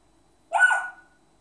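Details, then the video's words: Pet African grey parrot copying a person's hiccups with a single sudden, throaty squeak-hiccup that fades within half a second, surrounded by silence. "African Grey Jerk imitating my hiccups"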